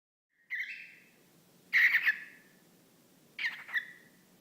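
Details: Pet whiteface lutino cockatiel, male, talking to a small sock puppet held up for him; three buzzy, speech-like bursts with harmonics, each sliding down into a drawn-out tail, spaced over about three seconds.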